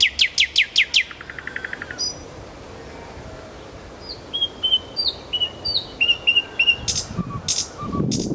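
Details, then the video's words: Nightingale song recorded in Kuzminsky forest park opens with a loud rapid series of about eight hard strokes, then a quiet gap, then a chain of short piping notes, ending in rustling noise. "Голос соловья и он сам в конце ролика"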